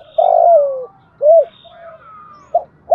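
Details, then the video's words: A decoy spotted dove cooing to provoke wild doves into answering. A long, harsh, downslurred coo is followed by an arched coo, a soft flat note and the start of another phrase, over a low background hum. "Chim Cu Mồi giọng hay+ hợp + giúp bổi gáy theo và về cội đấu sớm"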